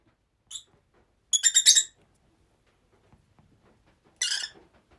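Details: Pet rosy-faced lovebirds living together give a short chirp, then a loud half-second rattle of pulsed harsh shrieks, silence, and another buzzy screech near the end.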